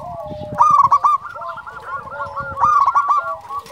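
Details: Local zebra dove singing vigorously, a quick rolling cascade of staccato coos with lower tones underneath, loud at the start and again near two and a half seconds, with soft thumps in the background.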